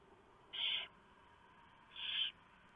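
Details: Barn owls at the nest at night as the owlets get a mouse brought by the male: two rasping hisses about one and a half seconds apart.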